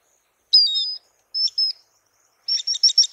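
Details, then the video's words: Swallow-winged Puffbird (Chelidoptera tenebrosa) gives thin, high whistled notes, then a quick series of sharp chattering chips, with a quiet background otherwise. "SOM DE URUBUZINHO (Chelidoptera tenebrosa) Swallow-winged Puffbird"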